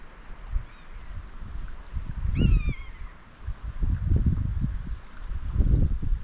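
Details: Common buzzard out on the hunt, seen high in the sky over an ancient gorge along Hudeshope Beck in Teesdale, North East England: one clear downslurred mewing cry, plus a fainter earlier one, over heavy wind rumble and handling noise.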